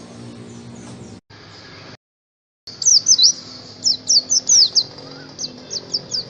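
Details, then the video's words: Oriental white-eye song used to get caged birds singing: after a cut and brief silence, clear bursts of high, quick down-slurred twittering notes repeated several times, then softer chirps. "Pancingan supaya pleci cepat gacor"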